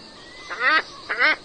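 Scarlet ibis giving two harsh, nasal honks about half a second apart, each short and slightly rasping, over quiet background hiss.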